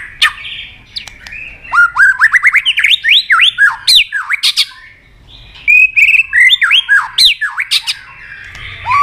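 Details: White-rumped shama singing a long training song full of forest voices, with tạch clicks and tail-flicking: rapid runs of upswept whistled notes in two bursts split by a short lull, loud clicks scattered through.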